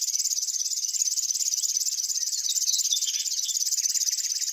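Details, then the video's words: Singing grass warbler delivers an unbroken, high-pitched, mechanical-sounding trill of rapid pulses, while soft short twittering notes run along underneath. "Grass warblers. Birds singing. Unusual bird chirps"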